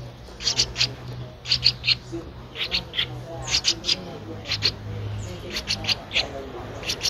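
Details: Thirteen-day-old Streak-eared Bulbul chick, Ubon Ratchathani, Thailand, 15 April 2023: harsh high chirps in pairs and triplets, about one cluster per second, gaps between groups, and a low droning hum beneath.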